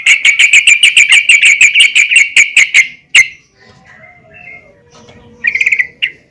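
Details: Female yellow-vented bulbul calling the male; a steady rapid series of about fifteen clipped, identical chirping notes, followed by near-silence with faint whistles and a short bubbly burst near the end.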